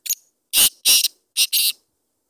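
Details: Black francolin, called kala teetar: a harsh, grating phrase of five loud broadband notes, a short clipped opener, then two paired rasping notes, then two more, over about 1.7 seconds, with a quiet background.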